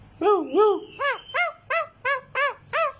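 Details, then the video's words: Green talking parrot producing two low arched wails followed by six evenly spaced short rising-falling nasal notes. "Talking Parrot green"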